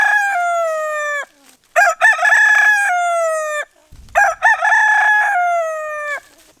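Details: Rooster crowing to wake people up, two full loud cock-a-doodle-doo crows, each with a rough wavering opening and a long drawn-out falling tail, separated by a short pause.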